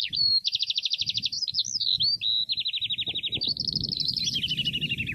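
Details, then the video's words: Finch singing a fast, continuous twittering song of high, buzzy trills that shift in pitch, with a faint low rumble underneath. "Finch bird photo and on sound natural"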